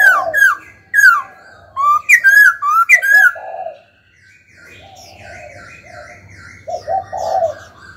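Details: Caged laughingthrush being trained to sing delivers quick slurred whistles in clusters, each note sweeping downward, followed by a stretch of quieter warbling and low buzzy phrases.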